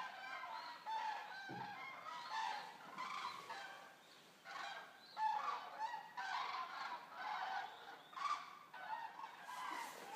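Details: A resting flock of around 200 Eurasian cranes at Racconigi, Italy, gives loud bursts of overlapping trumpeting calls, surging in clustered waves with brief lulls between.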